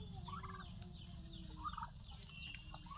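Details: Turkeys at feeding time: short, rapid gobbling bursts that rise and fall, one near the start and another mid-way, over a steady high electrical whine and low rumbling background.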